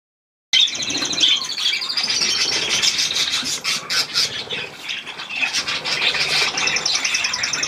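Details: Budgerigars under a shower, recorded 18 May 2024: after half a second of silence, dense, continuous high warbling chatter with rapid trilled notes and harsh squawks, over steady broadband hiss.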